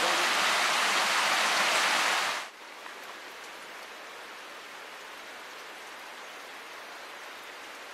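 Heavy rushing water or rain hiss stops abruptly after two seconds, leaving a soft, even background of running water with no animal calls.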